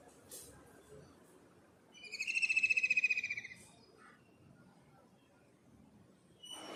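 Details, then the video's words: Kingfisher giving one fast, rattling trill of about a second and a half, shrill and high-pitched with layered overtones, rising in volume and then tapering off against quiet background noise and a faint click near the end. "Kingfisher Bird Call Sound"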